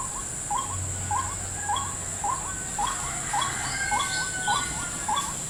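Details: White-breasted waterhen in a salak (snake fruit) plantation, drawn to a lure at a trap: a series of short hooked, rising notes repeated about every half second, with a steady high insect hiss throughout.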